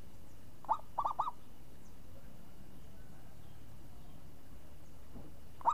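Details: Champion perkutut, the zebra dove, in crisp ngayun-style song: one full phrase of a single coo then three bubbling, slightly rising notes, a long quiet gap, and the first note of the next phrase.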